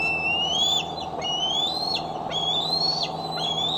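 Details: Returning eaglet at its Decorah nest on a July evening in 2011, foot tender, heard on a nest cam; four long whistled calls climbing gradually then breaking off sharply, evenly spaced, with low electrical hum beneath.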